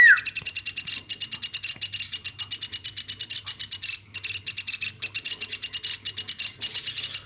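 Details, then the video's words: Hand-raised woodpecker kept from infancy, calling continuously: harsh, rapid, buzzy notes in long runs broken by brief silences, opening with a short falling whistle. "LUAR BIASA AMOY BURUNG PLATUK GACORNYA SAMPAI 5 MENIT"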